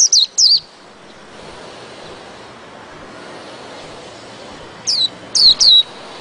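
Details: White-eye in ngerol ngalas song style: two high, thin, falling whistled notes, a long quiet gap with faint background hiss, then three more similar slurred notes close together.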